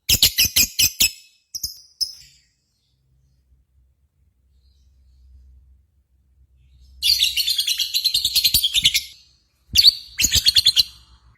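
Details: Lovebird contest simulation sound meant to trigger singing in kept birds. Bursts of fast, high, rattling chirps come with long quiet gaps, a faint low hum, and a two-second buzzy trill near the end.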